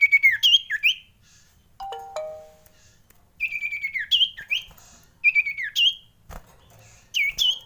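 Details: Frightened common iora: repeated phrases of a level whistled trill dropping into swooping, looping whistles, with a lower, briefer pair of notes between phrases.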